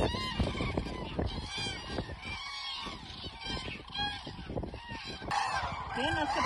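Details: Common cranes dancing at Hornborgasjön, Sweden: many overlapping loud, trumpeting honks with rising and falling notes in a busy chorus, with a louder burst of calls near the end over a low rumbling background.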